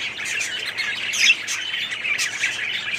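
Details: Short burst of budgerigar colony chatter in an aviary, 2017: overlapping high chirps and squawks, loudest near the middle.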